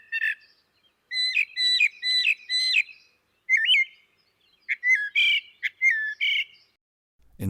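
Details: Northern mockingbird (Mimus polyglottos) sings bright varied phrases imitating other birds, one chirpy phrase repeated four times quickly before switching to new ones; a soft thump ends it.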